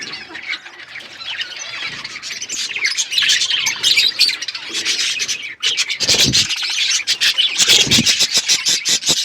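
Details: Chirping budgerigar flock in an outdoor aviary, steady overlapping twitters swelling into a fast, loud burst of repeated sharp chirps.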